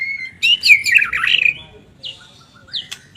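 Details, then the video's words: White-rumped shama in lively song: a rich, tumbling burst of whistles and trills, then a pause and two short, high upslurred whistles. "kumpulan kicau MURAI BATU gacor"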